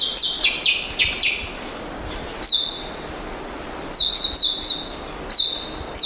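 Apo myna giving loud, harsh, descending screeches in quick runs of four, then single and paired bursts, high-pitched and piercing, with a faint steady hiss behind.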